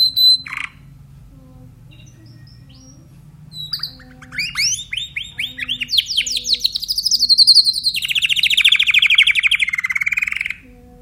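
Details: Timbrado canary singing: after a few short notes and a pause, a long run of rapid repeated rolling syllables builds up, then shifts into a fast trill that falls slightly in pitch, with a low steady hum underneath.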